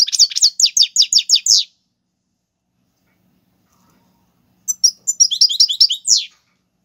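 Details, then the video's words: Goldfinch song in the tiwawati galoubi and serfati styles, used to teach young birds: a rhythmic series of about eight sharp descending notes, a long pause, then a tumbling burst of jangling twitters. "حسون تيواواطي قالوبي + سرفاتي"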